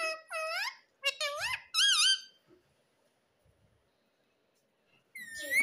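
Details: Pet ring-necked parrot being trained to talk indoors: squeaky, high, wavering word-like utterances, several in quick succession over two seconds, then near silence with soft thumps, before another rising squeaky utterance at the end.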